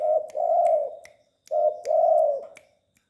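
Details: Tame spotted dove giving two soft, hollow coo phrases. Each opens with a brief clipped note and runs into a drawn-out, steady hoot, with light clicking sounds behind.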